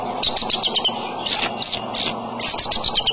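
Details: Adult male bald eagle at its egg nest, March 23 afternoon, giving repeated high piping chirps, some drawn out and squealing, in close-spaced runs over a constant low rumble.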